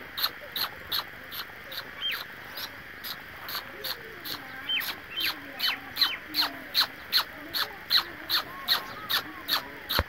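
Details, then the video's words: Pet ducklings, apparently looking for their swimming pool, peep in a rapid, steady series of about two or three high notes a second, with a few rising whistled notes and a low wavering sound underneath. "Ducks ka sound"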